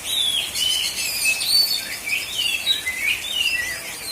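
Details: Contest-singing Oriental magpie-robin (kacer), black-and-white type, from South Aceh, Indonesia: fluid run of high whistled slurs, rising and falling, interspersed with short chirps, over faint background hiss.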